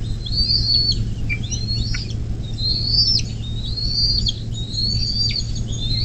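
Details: Bald eagle calling at its nest in southwest Ohio, USA, 24 May 2024, 10:12, nest cam: drawn-out shrill whistles about every second, each with a quick downward flick at the end, with a steady background hum.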